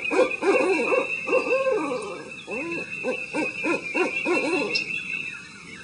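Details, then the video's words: An owl gives a run of short, mid-pitched hoots in uneven bursts, about three a second, over a steady high insect-like drone. "Owl Hooting"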